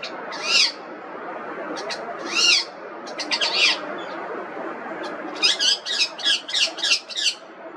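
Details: Indian ringneck parrot calling with harsh, rising-falling screeches, a few spaced apart, then a rapid chattering series of seven or eight squawks, set against steady background hiss.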